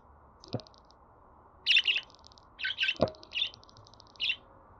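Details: Budgerigar voice meant to get a pet bird singing: a quick run of buzzy, grating chirps after a quiet start, with fine ticking notes and two sharp clicks.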